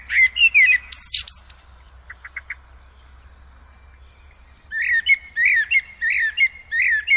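Common Blackbird song: high twittering phrases, a short pause, then a run of squeaky chirped phrases about twice a second.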